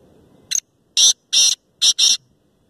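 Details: Black francolin (kala teetar), a Lucka Shedi cross bird, giving harsh, buzzy, grating notes: a short first burst, then two longer notes and a final close pair, about five notes in all, with quiet gaps between.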